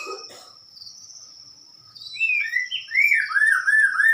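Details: White-rumped shama giving clear looping whistled notes that swoop up and down in a quick repeated sequence after a quiet start with a thin steady high tone.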